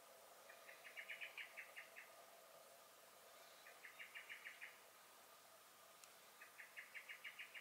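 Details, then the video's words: Common blackbird sounding alarm in a garden, May 2021: three rattling bursts of fast, metallic chinking notes, each burst roughly a second long with quiet gaps between them. "Song and Alarm Calls of the Blackbird"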